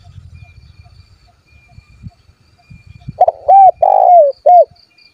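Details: Spotted dove calling rivals to make them sing: after quiet low thumps, a burst of loud, hollow coos, three phrases with one drawn-out falling note in the last two seconds.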